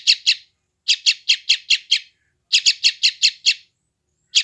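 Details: Chick calls of a young yellow-vented bulbul from West Java, recorded on an Android phone for training freshly caught wild birds: rapid runs of five or six sharp high chirps, separated by short pauses, with no other sounds.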